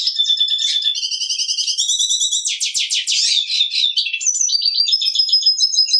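A black siskin sings a long, rapid jumble of twittering trills, buzzy rattles and sweet whistled notes, running continuously with no other sounds.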